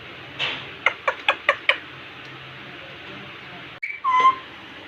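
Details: Indian ringneck parakeet facing a mirror gives five quick evenly spaced clicks, a silent gap, then a short burst ending in a flat nasal two-toned call.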